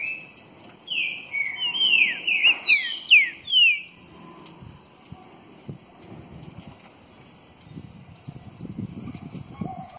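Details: Green-winged saltator, presented as a true trinca-ferro, delivering a rich burst of rapid slurred whistles, descending and rising notes packed into about three seconds, then quiet with scattered low knocks and handling noise.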